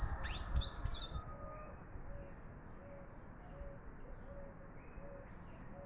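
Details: Sayaca tanager giving a short burst of high squeaky sliding notes at the start, then a soft repeated low hooting note about every 0.7 seconds and one faint high note near the end.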